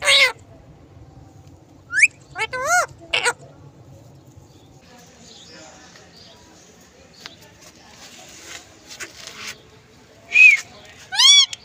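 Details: Parrot talking: a few short bursts of speech-like sound, then sharp rising and falling harmonic squawks near the start and end, separated by a long stretch of quiet, faint rustling.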